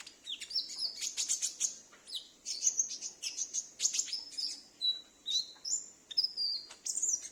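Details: Konin (Brown-throated Sunbird) kept at home that always responds to calling birds, recorded as a lure: a long, busy stream of high, piercing chirps and twitters, some notes dropping in pitch, with short silent breaks.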